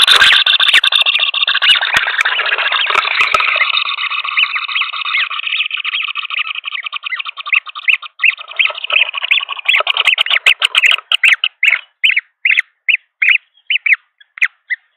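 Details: Green wood hoopoe nestlings, three hatchlings, begging at a nest in Pretoria, South Africa, December 17, 2022, during feeding: a dense, harsh squawking chorus for about ten seconds, then shorter rasping calls repeated roughly twice a second.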